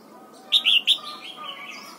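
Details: Red-whiskered bulbul in morning song training, coaxed into wild-style double notes, gives three sharp loud whistles followed by a softer, trailing warble.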